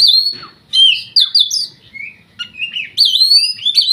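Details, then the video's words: Oriental magpie-robin, an Indonesian contest bird from Riau said to be undefeated at provincial auditions. It gives clear, strong whistles and rapid slurred notes in several bursts separated by short silences. "Burung Kacer"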